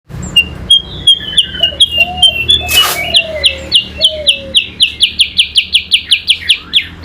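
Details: Caged yellow-eyed babbler in a singing contest with a magpie-robin: rapid series of sharp, whistled notes repeated several times a second, drifting upward, with lower slurred whistles between and a brief burst of noise midway.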